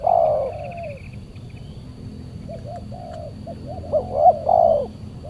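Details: Aggressive spotted dove reacting to a decoy during a Saturday trapping session; one loud long coo, then softer distant coo phrases building to a louder pair of notes and a drawn coo, with faint high chirping.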